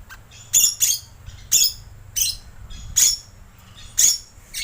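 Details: Rainbow lorikeet lure call: harsh, shrill screeches in short bursts, about six across the stretch, some doubled, spaced roughly a second apart, over a faint low hum.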